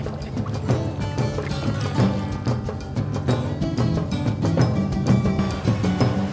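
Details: Steady rhythmic music with deep drum-like beats and no animal voices.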